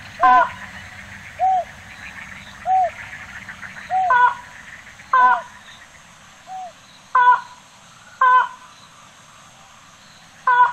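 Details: Slaty-legged crake calling in Tainan City, Taiwan, on 9 December 2019: a series of brief, nasal, hooting notes repeated about every one to one and a half seconds, alternating plain and harsher doubled notes, with low background hiss.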